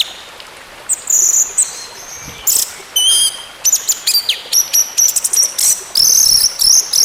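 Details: Orange-headed thrush, recorded as therapy for a bird that has stopped singing: a long, lively sequence of high whistles, sharp clicks and harsh bursts, delivered in rapid alternating phrases.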